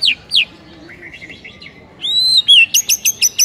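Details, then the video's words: White-rumped shama in morning masteran song. Soft warbling notes give way to a series of sharp, high, evenly repeated chips near the end. "1 MENIT LANGSUNG GACOR ON DENGAR MASTERAN MURAI PAGI HARI INI"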